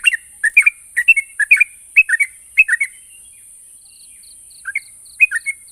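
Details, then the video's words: Yellow-vented bulbul singing, meant to get stalled birds calling back: rapid bubbling two-note phrases repeated about twice a second for three seconds, a pause with faint high chips, then a few more liquid notes; steady high background hiss. "Burung trucuk macet bunyi dan mandek pasti nyaut dengar suara burung trucuk ini"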